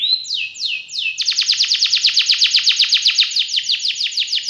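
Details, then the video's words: Canary song opening with a few broad downward whistles, then breaking into a long, fast, even trill of clipped notes repeated about four times a second. "KENARI GACOR CENGKOK ISTIMEWA,ISIAN MEWAH,BANYAK DICARI PECINTA BURUNG KENARI..!!"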